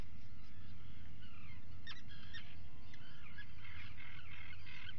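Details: Inside an Atlantic puffin burrow at breakfast, 04:58, 28 June 2019; faint harmonic calls early, sharp clicks mid-way, then a burst of nasal calls toward the end over low hum.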